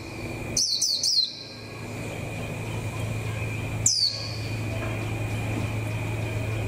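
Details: Warbling white-eye, a songbird starting to come into form for the 2021 season, gives a quick burst of three thin, high, falling chirps, then one more after a pause, over a steady high whine and low hum.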